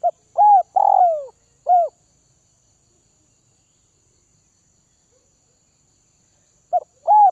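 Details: Kept spotted dove from the Northwest region, fed for taming, coos one full phrase of short stuttered notes, a rounded coo and a long sliding downward coo, then a pause before the next phrase begins.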